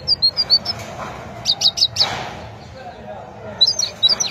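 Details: Great tit song: short bright high notes in quick phrases, a burst of four sharp repeated syllables near the middle, then another quick run at the end after a quiet gap.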